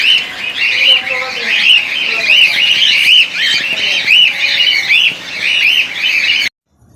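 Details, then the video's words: Cockatiel colony, 2019: many birds give loud, harsh, arched chirps, repeated over one another, with a man's voice speaking underneath; sound cuts out abruptly near the end. "Cockatiel Colony 2019"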